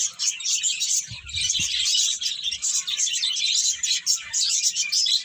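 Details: Flock of birds tweeting busily in a dense, high chorus of quick overlapping chirps, with a brief low bump near the start.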